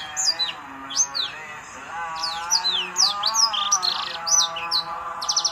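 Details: Prenjak (prinia) song played to provoke a ceplier into answering: sharp, high, downslurred chirps in quick bursts, roughly two a second, over a steady humming tonal background.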